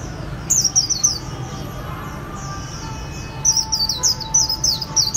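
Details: White-eye from Vietnamese song-bird keepers singing "khuyên líu": a run of bright, high, downslurred notes, a softer lull, then a longer quick series of sharp chirps, with low hum throughout.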